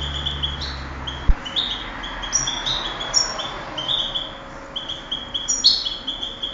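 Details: European goldfinch entered in a 2008 contest gives a sustained, fast, high twittering song of tinkling notes and brief buzzy trills, with a single knock near the start.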